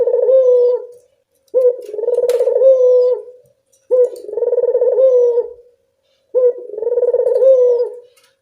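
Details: Barbary dove calling in the evening, its recording used as a lure for doves reluctant to call: low, throaty coos, each about one and a half seconds long, repeated in a steady series with short pauses between.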